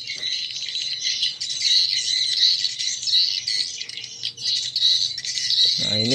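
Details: Swiftlet calls played through a speaker to attract swiftlets to a bird house: a dense, continuous high chattering twitter with steady shimmering trills, heard indoors with a faint low hum.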